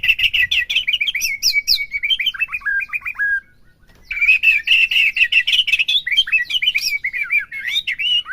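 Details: White-rumped shama in loud, rich song for provoking a caged bird: fast, varied whistled and chattering phrases, a brief pause midway, then another long rapid outpouring.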